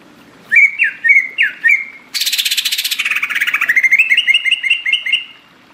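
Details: A greater green leafbird, tropical forest singer, gives four looping whistles, then a long harsh buzzy rattle that softens into a rising series of quick chirped whistles.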